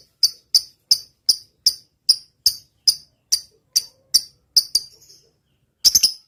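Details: Energetic lovebird with the long 'ngetik' typing song: evenly spaced sharp, high chips, a brief trailing chatter and pause, then a quick triple of chips.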